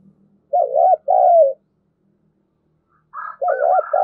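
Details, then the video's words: Spotted dove decoy cooing to attract others: a two-note phrase of a quavering coo and a longer sliding hoot, silence, then the phrase again with a fainter higher-pitched coo overlapping. "Chim Cu Mồi/ cu gáy thúc gù dùng kích bổi hiệu quả"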